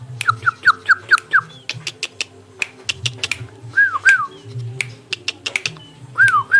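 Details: Yellow-vented bulbul kept in captivity for 13 years: a quick run of six short slurred whistled notes, then scattered single and paired down-slurred whistles, with sharp clicks and a low steady hum behind.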